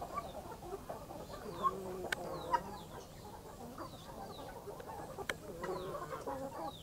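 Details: A backyard hen with chicks in the morning: thin, descending peeps repeat throughout over soft low clucking, broken by a few sharp clicks and taps.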